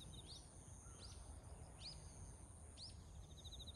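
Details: Azure-winged magpie on 29 September 2024, giving four short, high, arching chirps about a second apart, over a steady insect whine and low rumbling background noise.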